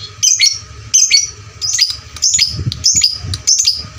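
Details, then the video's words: Fighter lovebird with a loud voice, recorded as a lure to train other fighter lovebirds. Bright squeaky chirp bursts come about every 0.7 seconds, with a low hum and faint thumps behind. "pancingan LB FIGHTER volume suara kerasnya paling gesit ciptakan lovebird fighter juara"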